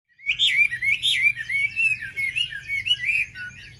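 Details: Wambi song used as a lure to stir up other wambi birds: a rapid, twittering run of high warbled notes that rise and fall without pause, over a steady low hum.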